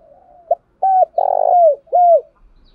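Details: Spotted dove used as a lure bird, cooing to attract wild doves and switching its song pattern; a short run of low coos, including one long rolling, vibrating note between clear, falling hoots.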